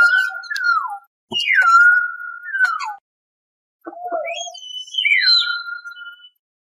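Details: Common hill myna running through a varied series of whistles: level fluty tones, downward slurs, a few sharp clicks and a short low note, then higher rising and falling whistles, with brief silent gaps.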